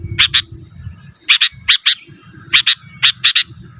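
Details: Sooty-headed bulbul calling opponents, used for luring wild birds and tutoring cage birds: bright chirps in quick doublets, repeated several times, over a soft low mechanical hum.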